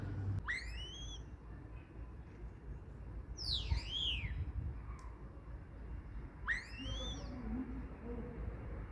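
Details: Common starling calling three times over nine seconds: sharp whistled notes that sweep up steeply then curve back down, with ringing overtones, against faint background noise.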